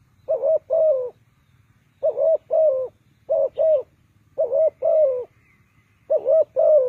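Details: Spotted dove used as a decoy to lure wild birds into a ground trap: low, mellow cooing in four bursts about 1.5 seconds apart, each a short coo followed by a longer dipping coo, with a faint thin whistle near the end.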